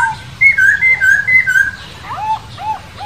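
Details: Wild masked laughingthrush singing clear, ringing whistles: a string of level, slightly wavering notes, then softer downslurred calls after a short pause.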